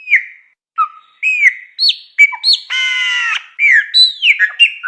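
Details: Song of a chopi blackbird: clear whistled notes slurring down in pitch, separated by short pauses, broken mid-phrase by one long nasal buzzing note, then more rapid rising and falling whistles.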